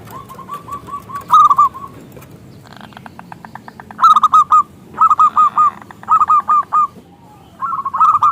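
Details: A steady run of soft coos, then loud clusters of fast, tumbling notes, from a local zebra dove with a big voice, kept as a lure that invites other doves to sing.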